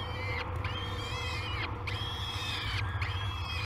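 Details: Peregrine falcon chicks at the Great Spirit Bluff nest, filmed by a live cam on 22 May 2020 as they wake for breakfast; drawn-out, harmonic whining calls with a gently falling pitch, repeated about every second, over a steady low hum.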